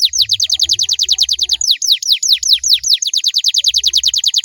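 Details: Canary song used as a lure for other canaries to reply, a continuous chain of rapid high downslurred whistles, briefly slowing to wider sweeps before speeding up again, with faint low thumps.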